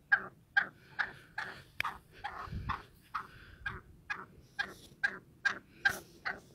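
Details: Black francolin, roaming free, giving harsh, clucking notes at about two per second in a steady, slightly uneven series, with faint background hiss.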